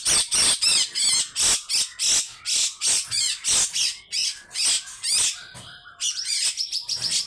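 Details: Grey-cheeked bulbul in long, coarse 'besetan' calling: an even series of loud rasping bursts roughly three per second, ending with higher, thinner twittering notes.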